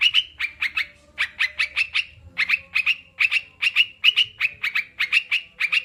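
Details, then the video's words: Sooty-headed bulbul song to get kept birds singing: sharp chirped notes in runs of three to five, separated by brief gaps, repeating steadily. "Terapi burung crucukan biar cepat bunyi dan anti stres"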